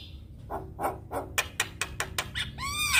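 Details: Black-winged starling song of rough repeated chacks quickening into sharp broadband bursts and ending in a loud arched harmonic squeal.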